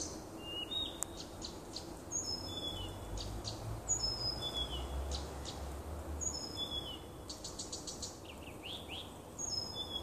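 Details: Nightingale song from a little woodland beside a home, recorded 30 June 2015: varied phrases of clear high whistles, sliding notes and rapid clicking bursts, with a faint low rumble beneath.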